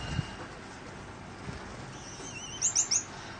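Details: Captive Gouldian finches of recessive dilute back and blue colour forms, with a cooling fan running. Three quick, high-pitched chirps near the end, after a soft rising whistle, over steady background hum.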